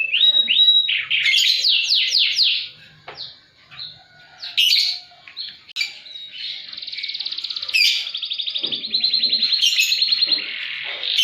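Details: Caged canary in full high-and-low song meant to stimulate canaries that have stopped singing: quick descending whistled notes, short chirps and pauses, then extended rapid trills of repeated pulses.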